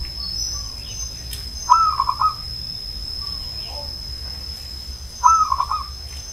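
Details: Old zebra dove cooing: two short stuttering phrases, each a clear opening note followed by a quick run of pulsed, bubbling notes, about three and a half seconds apart, over a faint steady high whine and low background hum.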